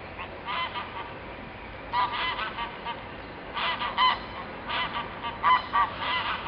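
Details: Ring-billed gull in Isabel La Católica park, Gijón, Asturias, in February 2013: loud harsh calls in bursts of several notes, separated by pauses of one to two seconds, over steady background noise.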